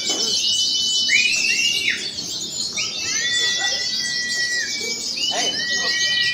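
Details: Many oriental white-eyes, both wild-caught and strongly singing birds, competing at a special practice singing contest: a dense, continuous high twittering chorus overlaid by clear sliding whistles, some rising then falling, repeated irregularly, with faint voices beneath.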